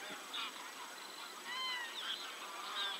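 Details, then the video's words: Geese giving repeated nasal honks, about one a second, some slurred upward, several birds overlapping in a steady background hiss. "Geese / Gęsi"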